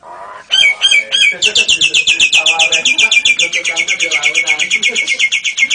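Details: Singing Nias hill myna imitating lovebird and canary: three short high chirps, then a sustained, rapid, chattering trill of bright repeated notes running to the end.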